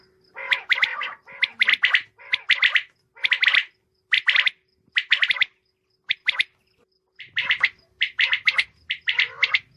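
Common quail female giving harsh, rasping notes in tight clusters of two to four, repeated steadily over ten seconds, with no other sounds.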